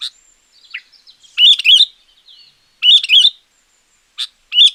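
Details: Champion sooty-headed bulbul in full song, played as a lure for wild bulbuls or to tutor quiet ones. Loud, liquid warbled phrases come in bursts about 1.5 seconds apart, separated by soft high whistles and short chips.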